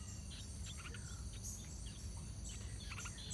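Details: Yellow-vented bulbul family at the nest as the chicks prepare to fledge, parents feeding them; clusters of short high chirps and brief notes throughout, with insect drone and low background rumble.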